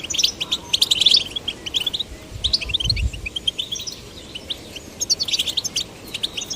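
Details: Male and female goldfinch chicks encouraged to sing; loose clusters of high thin twitters and chirps separated by short pauses, softer than the busiest passages, with a faint low rumble in the middle.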